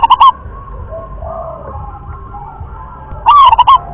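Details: Wild local zebra dove of the rhythm class gives two short bursts of quick, rolling coo notes, one at the start and one near the end, separated by a low steady background hum.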